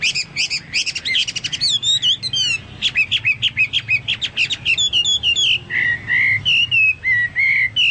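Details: Chinese hwamei song with fast stacked chattering notes and slurred whistles, followed by a slower series of steady, level whistled notes repeated about once a second.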